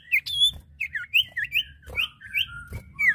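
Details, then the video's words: Male and female common iora exchanging varied short whistles, some rising and some falling, given irregularly about three per second, with soft background thumps. "Suara Burung cipoh/sirtu jantan dan betina gacor!"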